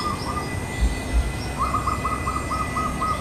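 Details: Wild local Javanese zebra dove from Central Java perched on a branch of a yard tree on a sunny morning, one of a pair calling to its mate. A fast series of short, even, mid-pitched cooing notes, with a soft steady background hum.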